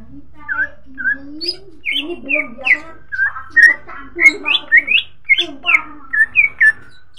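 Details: Greater green leafbird song used as a lure to get other birds singing: a lively run of short, clear whistled notes, slurred up and down, two or three each second, with a faint low hum behind.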